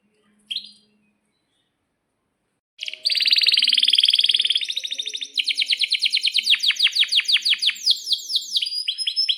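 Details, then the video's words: Lure song from a canary meant to prompt other canaries to sing: one sharp chirp, a pause, then a loud buzzy rattling tour and a long string of fast repeated downslurred notes that turn into quicker sweeping whistles. "suara kenari gacor panjang AMPUH,, PANCINGAN KENARI AGAR BUNYI JADIKAN BURUNG KENARI GACOR Seketika"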